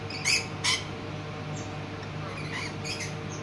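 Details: A juvenile rainbow lorikeet being fed by a parent in the Tropical House at Wingham Wildlife Park, Kent, gives two loud, harsh, rasping squawks half a second apart, then softer, scratchy chatter over a low steady hum.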